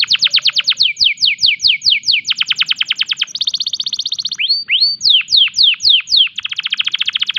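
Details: Canary in breeding condition singing in a loud, unique 'tembakan' style: rapid series of steeply falling whistled notes, a switch to fast buzzy trills, a few slower sweeping upslurs, then more falling notes and a quick rolling trill.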